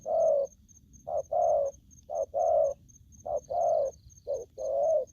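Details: Aggressive call of a young wild-caught spotted dove, given as paired low coos, each a brief note followed by a drawn-out one, roughly one pair per second, with faint rapid high ticks behind.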